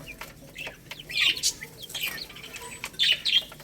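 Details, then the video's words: Chicks eating rice make high cheeping notes in two short bunches, mixed with crisp clicking sounds and faint background hiss. "Cute Baby Chicks Eating Rice | Beautiful Chicks Chirping Sounds"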